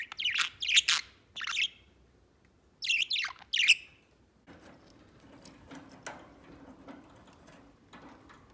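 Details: Pet white budgerigar giving several loud scratchy chirps in two clusters, then quiet rustling and soft faint background noise for the rest.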